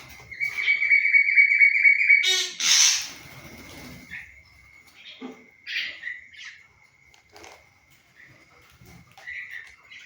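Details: Pet common myna (shalik) said to speak human words: a loud, steady harmonic stretch lasting about two seconds, then a harsh broadband burst, followed by scattered short squawks and chirps over a faint continuous high tone.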